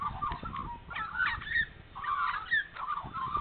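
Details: Australian magpies in Nowra, NSW, carol early on a spring morning after being fed, in rich, gurgling, flute-like warbles that slide and tumble in overlapping phrases, with several birds joining in.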